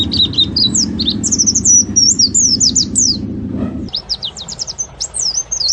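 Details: Oriental white-eye singing: rapid, high-pitched chirping twitters and slurred whistled notes tumbling up and down, with a low rumbling background noise during the first part that stops partway through.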